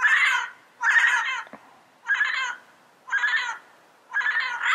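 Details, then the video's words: In the wild, a yellow-headed parrot repeats loud, grating squawks roughly once a second, five harsh bursts in all, separated by short silences. "Yellow-Headed Parrot Sounds - Natural Bird Calls and Songs in the Wild"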